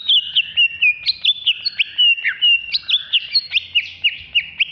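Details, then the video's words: Loud, nonstop agitated ngamuk song from a contest-ready caged greater green leafbird, Alas Purwo type, Jatiasih, Bekasi: rapid rhythmic whistled notes and crisp downward flicks, roughly four per second, woven over a continuous warble. "Cucak Hijau Alas Purwo Ngamuk"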